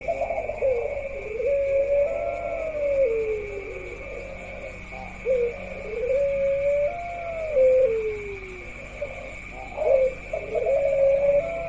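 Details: Ringneck doves of the pelung style in a parade of several birds, one of them a female: long, drawn-out cooing notes that dip and slide downward, repeated with short gaps, over a steady high electrical hum.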